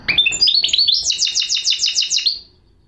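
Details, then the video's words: Song of a goldfinch hybrid, known as a mulet: a few rising, tinny notes open into a rapid, even trill of high descending sweeps lasting over a second before fading out. "chant mulet de chardonneret"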